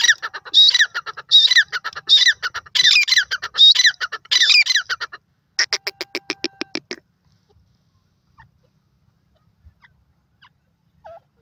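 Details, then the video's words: A francolin, called Irani or Dakhni teetar (a partridge), gives harsh, grating squawks in quick succession for about five seconds, then a fast rattling burst of clicks, followed by near silence. "irani teetar voice, partridge bird sounds, dakhn teetar awaz"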